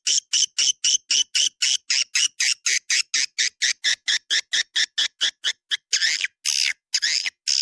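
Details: Swiftlet lure call of the 'Dua Bidadari' type for drawing swiftlets in: a steady train of harsh, buzzy chirps about twice a second, ending with a few longer rasping notes.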